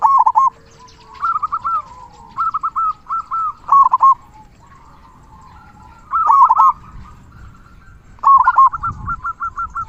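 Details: Local zebra dove singing actively in the big 'kung' voice style, used as a tutor to get quiet doves singing: stuttering bursts of mellow coos, each a quick series of soft rolling notes, separated by pauses of one to two seconds.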